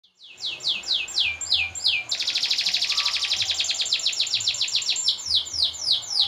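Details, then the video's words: Canary song, recorded for training other birds and for contests: a loud rapid roll of high buzzy notes, each slurred downward, repeated in fast trains several times a second, with a faint steady tone underneath. "Suara Burung Kenari - Cocok untuk Pancingan dan Lomba!"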